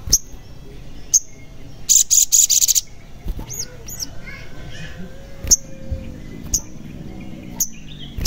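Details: Sogon song used as a lure to make lazy or silent birds sing: sharp high chirps at intervals, with a fast burst of rapid buzzy notes near two seconds. Faint background hiss.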